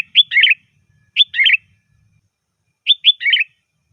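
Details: Sooty-headed bulbul phrases played to draw bulbuls in: three crisp bubbly whistled bursts, each opening with a sharp note followed by a warbled flourish, over near silence.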